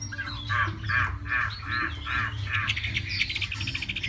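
A Hwamei sings rich, slurred mid-pitched phrases about three per second, then switches to quicker, higher piping notes, over a steady low hum.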